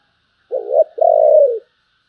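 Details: One coo phrase from a spotted dove of the giọng thổ voice type, called deep and sweet-sounding: a short low wavering note, a brief gap, then a sustained smooth coo gently falling at its end.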